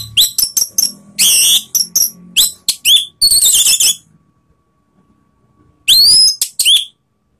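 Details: Orange-headed thrush in full, open ngeplong-style song meant to provoke rivals: rapid run of sharp clipped notes, dense buzzy and chattering bursts, then after a silent gap, bright rising whistles and quick trills.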